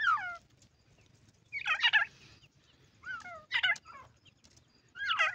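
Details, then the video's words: Several francolin chicks at play give scratchy, downslurred squeaks and rough chattering notes in spaced bursts over low steady background noise. "Dakhani teeter ke chiecks our uski masty teeter ke voice irani teetar ke awaz"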